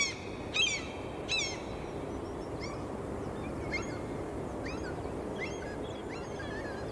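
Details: Gulls crying, two sharp falling calls close up, then a scatter of fainter, more distant cries against a constant rushing roar.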